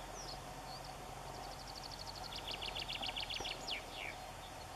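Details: White wagtail at its nest in a dead tree forming an islet in a river, waiting with nesting material in its beak; a quick run of high, thin chirps, about four per second, ending in a brief twittering flourish over a steady low rumble.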